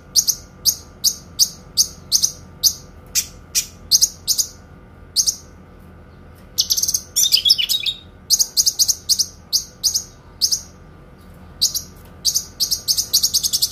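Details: Kinoi song with long, clear bursts, for training pet songbirds: a long steady series of crisp, very high paired chips repeated about three times per second, broken midway by a dense scratchy warble, then the chips return faster.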